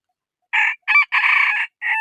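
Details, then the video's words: Chicken crow in four harsh syllables, short opening notes, a long drawn-out middle section, then a brief final note, heard alone against silence. "Suab qaib qua zoo heev"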